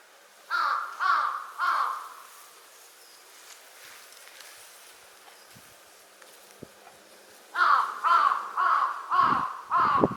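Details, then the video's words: A Large-billed Crow at Konuma lake on 20 April 2022 gives three harsh, nasal caws, pauses, then a faster run of five or six hoarse caws over a faint background hum. "ハシブトガラスの鳴き声 Large-billed Crow"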